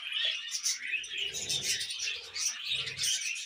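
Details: Tame baby budgie, hand-fed with a spoon, chattering in dense high squeaks and short tweets, with faint low rustling and handling noise between bursts.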